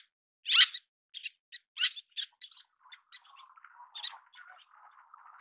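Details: Little tern feeding its chicks: one loud harsh high note, then a series of shorter sharp notes, fading into a soft, low, continuous twittering chatter.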